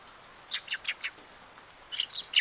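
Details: High, bright sparrow chirps recorded on 8 August as the day's first visiting bird: four quick notes, a brief pause, then a tighter burst of three to four sharper, louder chirps.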